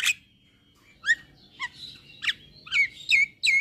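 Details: Male Javan myna, white-eyed, whose song sets other mynas singing: spaced sharp chirps and short whistled notes, some sliding downward, repeated roughly every half second near the end.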